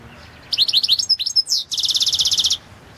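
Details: Balkan goldfinch (Carduelis carduelis balcanica) in a 2022 world championship song recording: a row of quick falling high notes, clear whistles, a rising sweep, then a fast buzzy trill of about a dozen pulses that stops abruptly after two seconds.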